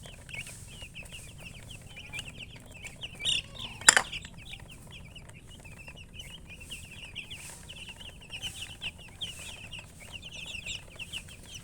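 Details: Flock of chickens giving continuous thin, high peeping chirps that overlap in a busy stream, with one loud click or knock partway through and a low rumbling background.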